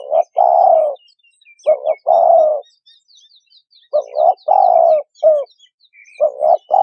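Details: Repeated low coos of a spotted dove for use as a trapping lure. The three-part phrases, two quick notes and then a long falling one, come every couple of seconds under faint high chirps of small birds.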